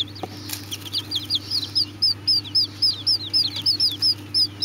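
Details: Several Serama chicks peep together at first, then one clear run of high, down-slurred cheeps follows at about four per second, backed by a low steady hum.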